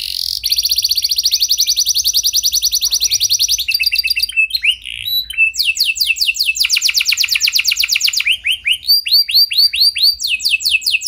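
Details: Canary song, played to make other canaries sing, a long fast trill, then a sequence of varied phrases of swooping whistles and rapid repeated notes shifting in pitch and speed.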